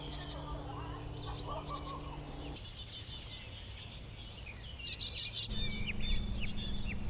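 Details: Young great tits near fledging call while parents keep arriving with caterpillars, gnats and insects; after a steady low hum, rapid high-pitched chirps come in two bursts, around ten short notes each, sharp and shrill.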